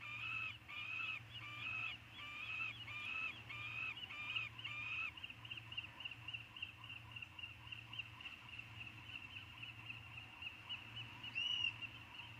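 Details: Three Peregrine falcon eyasses back together in their eyrie on Anacapa, 6 June 2019: rapid repeated harsh wailing notes for about five seconds, then a steadier high thin whine with a sharper cry near the end.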